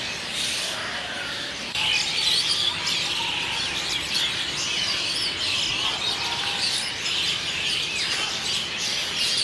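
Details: Asian Pied Starlings gathering in a big noisy flock to roost for the night at Kolkata, India, in the evening, recorded on a Nikon D3200; dense, overlapping high chirps and squawks chatter continuously, with a louder burst after two seconds.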